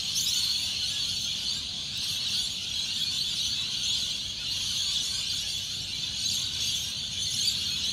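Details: A dense, unbroken chorus of shrill, screeching lorikeets in Australia at early morning moonset on 21/3/19, many birds congregating and overlapping into a steady high-pitched wash with no pauses.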